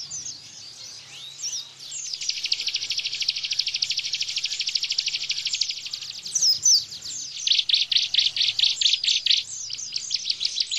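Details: Caged-bird tutor song of a Bar-winged prinia, 'tembakan bren' style: thin chirps leading into a fast, even, buzzy trill of about four seconds, then loud separate pulsed notes and high chirps.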